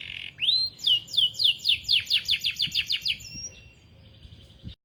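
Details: Canary of the AF panda type opening with a rising slur, then delivering an evenly pulsed series of high, bright chirped notes that fade into a soft thin tail; low background hum throughout.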